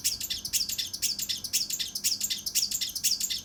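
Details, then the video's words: Mountain leaf warbler giving a rapid, harsh, tightly packed volley, the tembakan kasar rapat style used to train contest birds: about two rough buzzy notes per second, rhythmic and unbroken throughout. "TEMBAKAN KASAR RAPAT UNIK | SUARA CUCAK RANTE MAS UNTUK MASTERAN BURUNG LOMBA"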